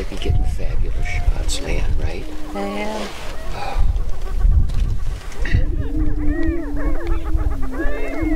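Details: Spring mating display of Greater prairie-chickens on a northwest Minnesota lek near Crookston, April 2013. Wind buffets the first half, then a sustained low hum returns with crowded arching whoops and cackles layered over it.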